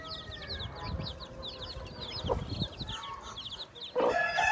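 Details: Farm hen with her chicks: quick high chick peeps in clusters, a few low clucks, and a louder clucking call at the end.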